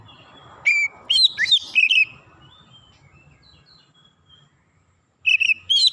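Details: Oriental magpie-robin giving a cluster of loud, bright whistled notes, some downslurred and some twisting, then a long near-silent gap with faint low rumble before a short burst of whistles resumes at the end.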